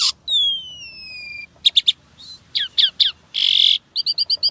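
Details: Asian pied starling, a songbird-hobby bird singing actively with showy 'isian tembakan' filler phrases: a long falling whistled note, then quick paired chips, short downslurred notes, a harsh buzzy burst and a rapid series of clipped notes.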